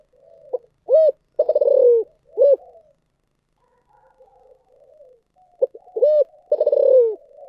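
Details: Spotted dove, thổ sấm voice style, thúc gù cooing. Two full phrases, each a quick coo, a rolling downward-sliding coo and a short closing coo, with soft low murmurs in the pause between them. The setting is otherwise quiet.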